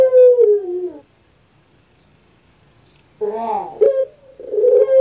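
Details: Captive puter pelung dove, a well-known Javanese breed. A falling drawn-out coo fades, and after a silent gap come wavering guttural notes, a short kuk and a held coo.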